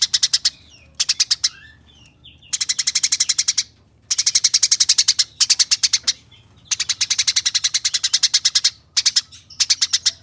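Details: Rapid rattling chirps of a Eurasian tree sparrow, 'nyerecet' style, used to tutor competition songbirds: long bursts of bright, high, evenly spaced chirps, about ten per second, broken by brief gaps.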